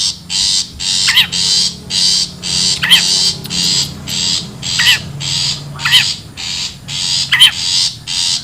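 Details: Harsh, noisy rasps from a wild long-tailed shrike, a lure recording. They run steadily, almost two per second, with a sharp, wavering squeal mixed in every second or so. A low hum sits underneath.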